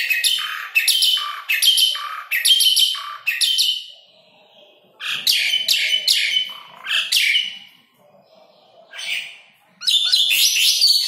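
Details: Asian pied starling song meant to coax caged jalak suren into singing. Clusters of loud, harsh, squeaky notes are separated by pauses of a second or more.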